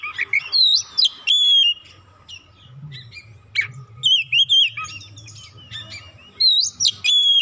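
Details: Kacer, the Oriental magpie-robin, roused by one provocation into an agitated isian song: clusters of sharp, twisting whistles and chirps, a quieter gap midway, then renewed loud bursts; soft low hum in the background.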